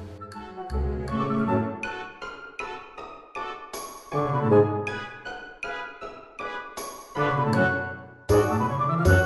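Orchestral music with bowed strings and struck notes, no animal sounds.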